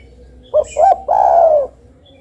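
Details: Single phrase from a spotted dove: a short note, a second rising-falling note, then a longer smooth coo that gently falls away.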